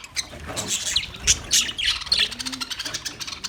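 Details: Budgerigars recorded on 9 March 2024, giving a busy flock chatter of short, high chirps and squawky warbles that overlap without pause, with a few louder, sharper notes standing out.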